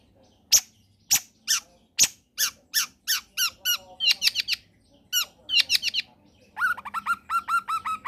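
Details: Long-tailed shrike in lively song from a combination recording meant to draw quiet shrikes into singing: a series of sharp descending strokes, quickening into doubled chattering notes and finally a rapid run of rising yelps.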